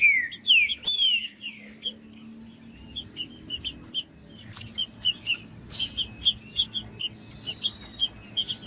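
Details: Wild rufous-bellied thrush in the forest, its song used to stir up caged birds: two or three falling whistled notes at the start, followed by rapid high chipping notes and a constant shrill background tone.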